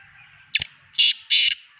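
A black francolin gives a short run of harsh, grating notes, three rasping bursts in under two seconds, after a brief click.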